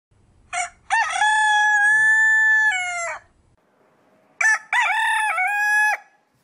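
A rooster crows twice: each crow starts with a short clipped note, then a long, loud, harmonic cock-a-doodle-doo that holds steady and drops at the end.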